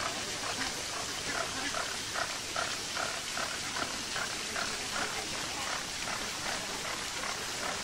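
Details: Flamingos in a zoo enclosure at Marwell Zoo, UK: repeated nasal honks, roughly two or three per second, half-buried under constant splashing fountain water.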